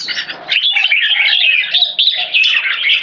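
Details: Red-whiskered bulbul, "one stroke" singing leading to keke: a fast, unbroken warble of bright, bubbling whistled notes, loud and close throughout.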